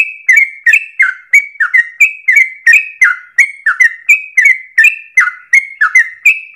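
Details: Chatty sooty-headed bulbul delivering its long, fast 'ropel' song as a lure for tutoring other birds: steady run of slurred, liquid whistles, each dipping and recovering, repeated about three times a second without a break.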